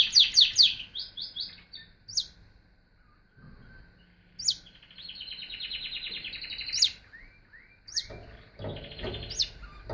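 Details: Canary song opening with a quick string of bright repeated notes, then upswept chips and long rapid trills at different pitches, ending with downslurred whistles over some low rumble.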